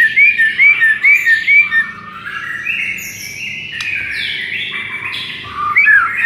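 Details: White-rumped shama song played to stir a sluggish shama into singing fiercely: short bright whistled notes repeated quickly, a stretch of longer stepped tones, then more quick whistles at the end.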